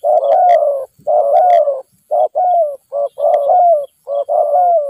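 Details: Spotted dove caught wild by decoy trapping, described as aggressive and nodding often, calling a steady series of low, throaty coos in groups of short and longer phrases, almost without pause, loud and close.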